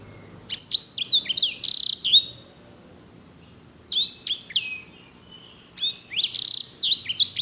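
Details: Singer canary of the edel/herda sanger kind, prized for its ornate rolls, delivers three bursts of rapid bright whistled notes and trills, each lasting over a second, separated by silent gaps.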